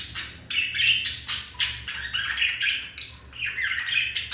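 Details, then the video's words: Male budgie courting a female: fast harsh chatter of squawks and bright high squeaks, about four notes per second, irregular and buzzy. "Sound of seduction made by Olive the male budgie for Melody the female budgie"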